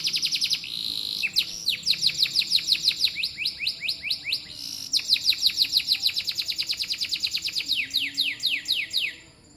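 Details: Canary singing a long, fast, high-pitched song of rapid chirping trills, each note a quick downward sweep, repeated in rolling runs with a brief change of phrase midway.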